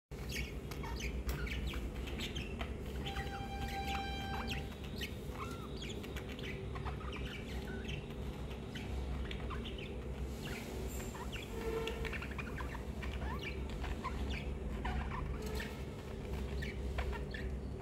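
Budgerigars chatter in quick, scratchy chirps and squeaks over a steady low hum.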